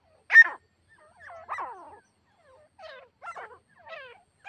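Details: Captive female grey partridge used as a hunting decoy for a wild partridge: one sharp loud note, then a quavering descending call and a run of short, falling, slurred notes in a quiet setting.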